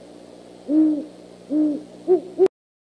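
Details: Great horned owl calling at the Decorah eagle nest around 11:20 PM on 25 January 2015: two low, steady hoots spaced nearly a second apart, followed by two quick, shorter, higher notes before the sound cuts out.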